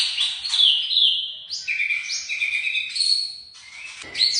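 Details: White-rumped shama, a young bird, delivering a varied song of clear whistled phrases, slurred notes and chattering trills, with brief pauses between phrases.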